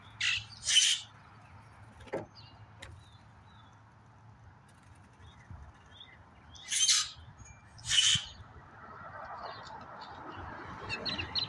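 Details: Common grackles, a pair of brothers, feeding on walnuts at a backyard bird-cam spot set out for blue jays. Four short, harsh, noisy calls stand apart, two at the start and two near the middle, with quiet between.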